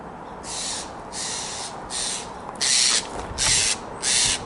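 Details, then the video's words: Steller's jay on a wooded trail through residential areas near Newport on the Oregon coast, October 14, 2022, a pretty common bird there; six harsh, broad rasping calls come about every 0.6 seconds, the later ones louder. "I thought that sounded like a Steller's jay, and it sounds like and looks like a Steller's jay."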